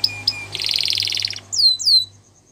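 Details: Gloster canary song for training: two sharp chips, a rapid buzzy rattle lasting under a second, then two clear descending whistled notes.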